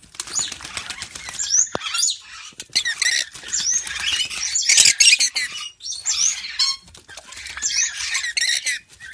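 Yellow-streaked lory giving harsh, scratchy screeches and chattering bursts in irregular runs, with rustling that may be wingbeats.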